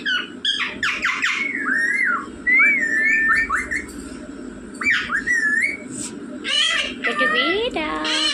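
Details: Talking rose-ringed parakeet producing a rapid run of varied whistles and chattering notes: rising and falling tonal slurs, sharp clicks and a harsh squawky burst near the end.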